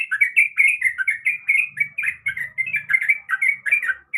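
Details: Female sooty-headed bulbul calling a male during breeding condition: an unbroken, lively stream of bright, chattering chirps rising and falling, about four to five notes a second, with a faint low murmur underneath.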